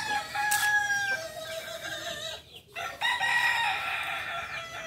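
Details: Crow of a Kukuak Balenggek cockerel, native to Solok in West Sumatra: sustained nasal tones that step down in pitch, a brief pause, then a higher drawn-out segment. Faint background hiss.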